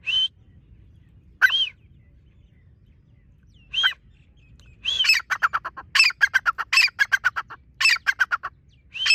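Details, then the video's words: Partridge (teetar) starting with spaced single arched whistles, then breaking into rapid repeated phrases of a rising whistle followed by loud clipped harsh pulses, nearly continuous toward the end. "teetar ki awaz"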